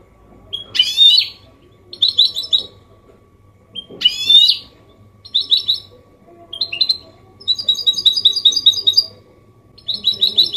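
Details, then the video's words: Goldfinch hybrid giving clean Málaga-copy song to inspire males and tutor chicks: repeated phrases opening with a buzzy, rising flourish followed by high tinkling notes, separated by short pauses, ending in a longer chattering trill. "Mixto jilguero Limpio canto (copia malaga) Elegante / mule of goldfinch bird singing the best sounds"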